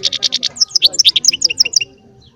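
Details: Small baster delivering goldfinch song. It opens with five even, rapid buzzy notes, then moves to a run of bright, bouncing, up-and-down chirps before falling silent.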